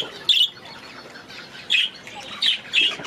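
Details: Aviary budgerigars giving four short, harsh, high squawks spaced about half a second to a second apart over a quiet background murmur.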